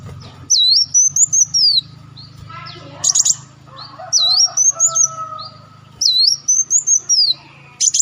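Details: Repeated olive-backed sunbird phrases from a bird-luring recording: each a high looping whistle followed by quick chips, roughly every three seconds, with short ticking bursts between and a low hum underneath.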